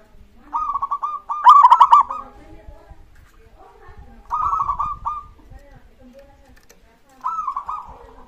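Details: Singing local zebra dove recording meant to coax other doves into song; three bursts of fast-pulsed, ringing coos, the first longest and loudest, over soft low rumbling background noise.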